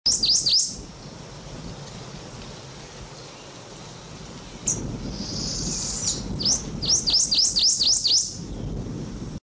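American goldfinch giving high, thin twittering calls: a quick burst at the start, a drawn-out buzzy note, then a fast string of bright chips, over a soft low rumble.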